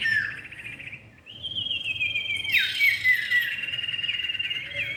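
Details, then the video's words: Common iora, male and female, calling as a lure recording: a buzzy slurred whistle falling then rising, a long steady high whistle, and a burst of bright twittering chatter with down-slurred notes, over a thin insect-like hum. "pikat burung cipow jantan dan betina"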